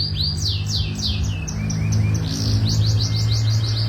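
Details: Young canaries (kenari anakan) from a master-training compilation: a run of quick upswept whistled notes, accelerating into a fast repeated series, over a steady low hum.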